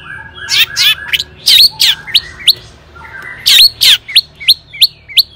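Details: Long-tailed shrike singing to stir rival shrikes into song, toet toet style. Loud grating rasps and falling sweeps are followed by a pause, then a quick series of short rising chirps.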